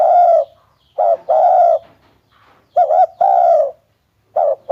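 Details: Spotted dove coo phrases: a long sustained coo, then a short note with a longer coo, and a wavering double note before another full coo.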